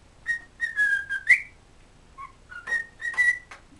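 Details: Happy pet cockatiel whistling a tune learned from its owner's whistling, based on "Kotori no Uta": a sustained clear whistle with a rising end, a pause, then short lower notes and repeated steady higher whistles.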